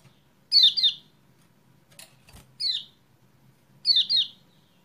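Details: Lure recording for a kecial kuning that has stopped singing: paired high chirps that sweep downward, heard three times with a soft click between them, against a low background murmur.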